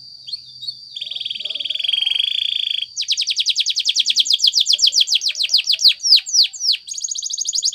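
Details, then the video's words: A Spanish Timbrado canary sings a training song: a long metallic buzzing roll, then a fast run of bright, dropping chirps, about three or four each second, over a thin steady whistle. "Many canaries join in singing after listening to this song"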